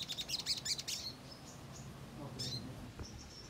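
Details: Ruby-cheeked sunbird's lively lure song aimed at provoking replies: a rapid burst of high, piercing chirps, then sparse thin notes with low background rumble.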